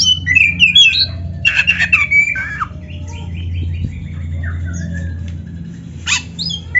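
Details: Black-breasted kacer singing canary-style fills: an initial cluster of bright whistles and harsh bursts, then softer, fainter rising notes before a final sharp chatter.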